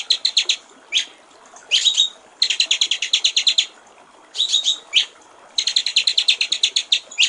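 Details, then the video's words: Water-trickle style white-rumped shama singing, used as a training master for songbirds: bursts of fast, evenly repeated ticking notes alternate with brief sweeping whistles and short silences. "masteran murai batu/ suara jernih gericik air"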